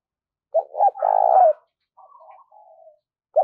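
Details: Spotted dove used as a lure bird, a four-note caller. It gives a single phrase: two short notes swelling into a long vibrating coo. Quieter soft trilled notes follow, and the next note starts at the end.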